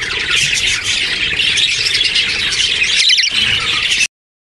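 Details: Hatchling parakeets beg with a continuous raspy, high squealing chorus; near the end a brief burst of sharper, clearer chirps rises above the hiss before the sound cuts off abruptly.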